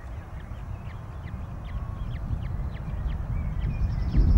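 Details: Ospreys at a nest at Loch of the Lowes, Scotland, on 22 May 2021, feeding with a third chick just hatched; a quick series of short, sharp chirps repeats about three times a second over a steady low wind rumble.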